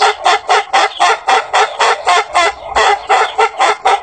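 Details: Ayam Ketawa, the laughing rooster breed from Sidenreng Rappang, South Sulawesi, Indonesia, a long-crowing chicken whose crow resembles a human laugh: rapid staccato syllables, about four per second, running on in a steady cackling chain with a brief break midway.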